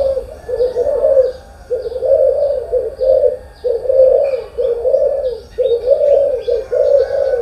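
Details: Morning coos of a spotted dove: low, rounded, mellow notes about one per second, each swelling then fading, with faint higher chirps in the background.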